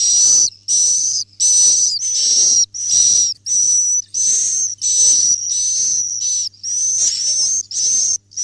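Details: Roosting swiftlets: a steady series of high, hissing chirp bursts, each about half a second long with a thin whistled tone running through it, repeated roughly every 0.7 seconds with short silent gaps, over a faint low hum.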